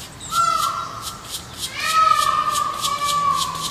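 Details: Black woodpeckers in the wild while raising young: two long, drawn-out, level calls, each held for over a second, over a background of rhythmic hissy high notes.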